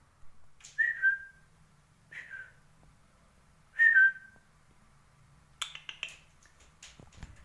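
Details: Pet parakeets, described as acrobatic fliers, give three clear whistled chirps that fall slightly, spaced over a few seconds, then a cluster of sharp scratchy squawks and clicks near the end, with quiet indoor background.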